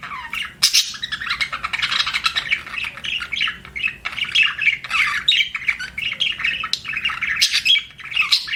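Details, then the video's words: Chirping from a pet budgerigar: continuous scratchy warbling chatter, squeaky notes and quick buzzy trills running without pause, a few sharper squawks standing out. "BUDGIE CHIRPING SOUNDS"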